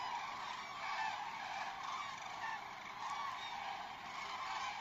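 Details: Common cranes in Vanamõisa village, Haljala parish, Lääne-Viru County, Estonia, in a dense chorus of loud, rolling trumpeting calls, many birds overlapping without pause for the whole stretch.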